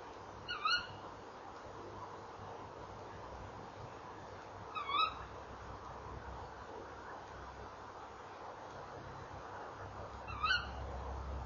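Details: Evening calling by a tawny owl pair around their nest box, November 2013: three short, shrill, rising calls spaced roughly four to five seconds apart against a low, even hiss.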